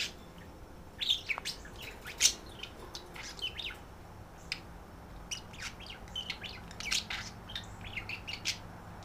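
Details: Two budgerigars kept as pets, a female guest and a male, calling to one another at night while flirting and trying to feed each other. Busy stream of sharp chirps and squeaky notes, roughly one per second, some louder bursts.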